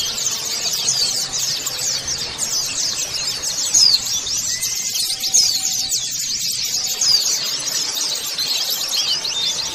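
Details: A colony of white-eyes, used as a lure to get white-eyes singing, pour out a dense, continuous high twittering of rapid thin chirps and short trills, several voices overlapping without pause.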